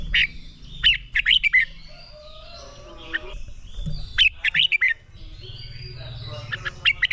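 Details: Red-whiskered bulbul training song for rousing young birds into fiery competitive 'ché' singing: three quick warbled phrases of four to five bright, slurred notes, spaced a few seconds apart, over soft twittering from other birds.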